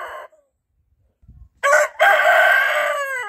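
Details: Rooster kept with laying hens in a coop, crowing in reply to challenge distant roosters: after a short clucking note and a pause, a loud harsh two-part crow, a brief burst then a long drawn-out falling call.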